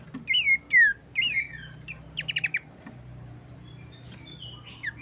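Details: Abbott's babbler singing to stir other birds into song: a few loud slurred whistles, then a fast run of short notes, a pause, and faint whistles again near the end.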